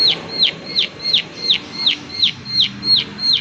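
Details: Close view of the prinia 'klik klik' call: ten clear, high, down-slurred clicks in about three and a half seconds, evenly spaced, each ending in a short lower tail.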